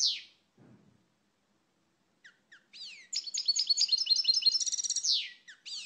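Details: Goldfinch of Europe singing: a descending opening note, scattered chirps, then a rising burst of fast, bright twittering with trilled buzzes and a downward slurred finish.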